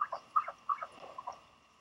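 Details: Northern royal albatross chick, hatched 31 January 2020, at Pukekura/Taiaroa Head, Dunedin, New Zealand, on 11 March 2020, wary and unsure whether an arriving bird is its parent; a quick series of nasal clucking notes that trail off.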